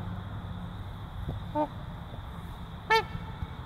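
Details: From a trumpeter swan breeding pair, a faint, short honk is followed over a second later by a louder, brassy, harmonic-rich honk, amid low rumbling background noise.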